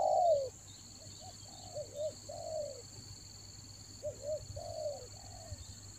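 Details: Spotted dove used as a decoy for luring doves in the rainy season in Toba; one loud falling coo opens, then quieter paired and drawn coos follow amid a steady high whine.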